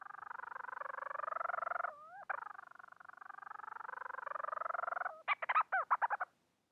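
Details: Rapid pulsed churring from a Bermuda petrel calling for a mate, a rising upslur midway, more pulsed purring, then a closing flurry of sharp stuttered arched notes.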